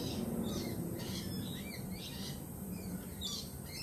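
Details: Nervous lorikeets, still unsettled by a recent peregrine falcon attack, let out rasping squawks about three per second, each a short grating burst, with a constant low hum underneath.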